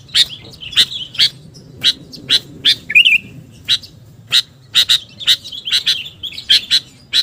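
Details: Sooty-headed bulbul (kutilang) calling to lure other birds: a long series of sharp high chirps, often in pairs or triplets, broken once by a brief twittering phrase, steady faint low hum behind.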